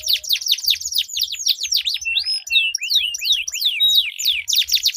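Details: Canaries in a singing duel, a melodious long rolling song used as a lure to get silent canaries singing: fast trills of descending sweeps, then looping slurred whistles and upswept notes, bright and unbroken.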